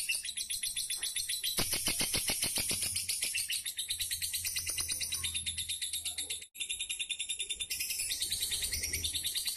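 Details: Caged fighter lovebird, Pemalang, Central Java, pouring out a long shrill chattering song of rapid repeated chirps, some clicking notes mixed in, broken by one brief silence before resuming just as intensely.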